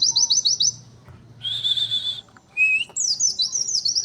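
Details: White-eye with unusual 'nembak' material: quick high ticking notes, a harsh buzzy burst, a short clear whistle, then tumbling high chirps, with a faint low hum underneath.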